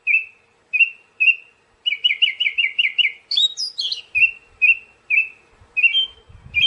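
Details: Siberian thrush singing: single level whistles spaced evenly, then a fast rolling run of doubled notes, a burst of high squeaky tones, and more spaced whistles.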